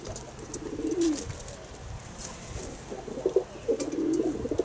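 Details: Several low, hollow pigeon coos, one rolling coo near the start and a longer run of throaty cooing toward the end, from birds kept at home, with faint clicks and rustling around them.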